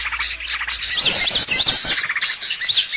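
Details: Lure sound for drawing birds in for trapping: busy high-pitched chirping with squeaky, rapidly repeated notes and a few looping whistled phrases, several callers overlapping throughout.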